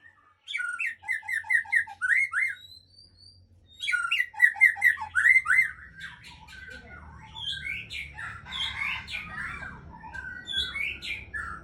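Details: Aceh white-rumped shama, a breeding hen, singing in bursts of rich whistled phrases mixed with sharp clicks and chips, separated by pauses, while a low rumbling noise enters in the second half.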